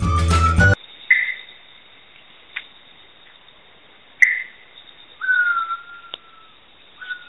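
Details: Sri Lanka bay owl (Phodilus assimilis) calling: soft, mournful whistles, short notes a few seconds apart, then a long, slowly falling whistle; a brief burst of music opens.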